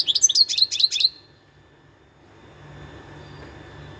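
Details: Wild European goldfinch uttering a quick string of bright, twittered chirps lasting about a second, followed by near silence with faint hum.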